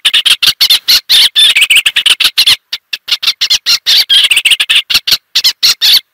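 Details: Eastern olivaceous warbler giving a busy, jerky warble of harsh and squeaky notes. It stops briefly about halfway, then restarts in an equally rapid rhythm.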